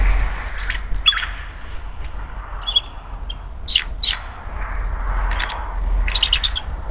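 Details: Bald eagle at a nest in Hays on 18 February 2024, calling in alarm as an intruder flies past: high piping chatter of short squeaky notes in scattered bursts over strong low wind rumble.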